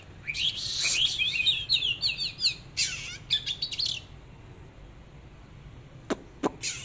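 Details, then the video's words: Oriental magpie-robin singing as it displays: four seconds of fast, tumbling whistled phrases and chattering notes, then quiet broken by two sharp clicks. "chòe than múa hót"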